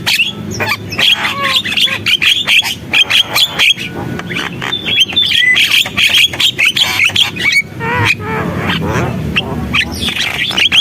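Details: Javan myna singing at full tilt: a long, jumbled medley of whistles, creaky squeaks, clicks and harsh rasps, with almost no pauses.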